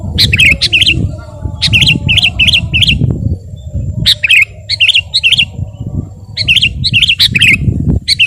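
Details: Kutilang, the Sooty-headed bulbul, singing in a tutor and lure recording: brief clusters of quick, liquid, wavering notes repeated at intervals, over a constant low rumble.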